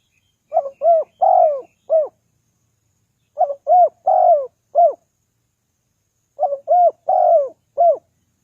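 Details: Spotted dove cooing used to lure wild doves: a four-note phrase of soft low coos, the third longer and fuller, repeated three times about every three seconds against silence.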